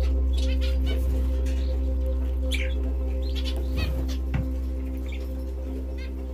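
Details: Pet canaries giving scattered high chirps and short rapid trills, louder clusters near two and four seconds, against a constant deep electrical hum and layered tonal drone.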